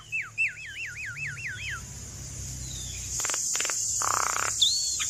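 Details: Cage-bird training song of a Javan myna: a quick string of rising and falling whistled notes, then a steady high insect-like hiss with buzzy bursts underneath.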